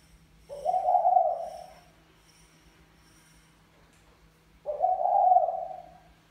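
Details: Male spotted dove courting a female, Mã Phấn and Bài Lối styles: two long, throaty coos about four seconds apart, each swelling then fading, over a steady low electrical hum.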